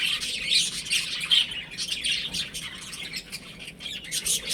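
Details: Baby chickens playing at home, giving a dense chorus of high, sharp chirps that overlap constantly, with louder bursts near the start and the end.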